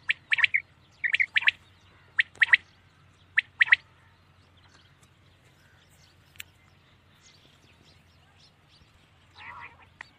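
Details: Common quail calling at night: sharp, clipped notes in tight groups of two or three, repeated about once a second for four seconds, then a long hush broken by a faint nasal burst near the end.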